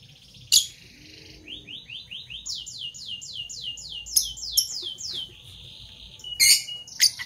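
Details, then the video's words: Morning chirping from parblue violet and parblue turquoise Fischer's lovebirds: a rapid series of high, rising whistled sweeps repeated several times a second, broken by sharp, shrill squeaks near the start and end. "Lovebird Chirping Sounds - Parblue Violet Fischer & Parblue Torquoise Fischer"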